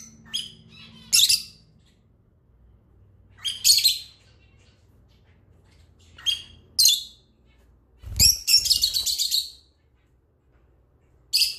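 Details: Lovebirds talking to each other with abrupt, shrill, rasping chirps, often in pairs, and one longer chattering burst of rapid scratchy notes; faint low hum behind.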